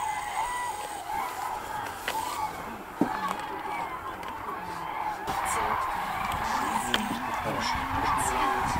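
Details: Common cranes (Grus grus) on migration in Hungary: a dense chorus of many overlapping rolling, trumpeting calls that run on without pause, with a few sharp knocks and clicks over a steady background rush.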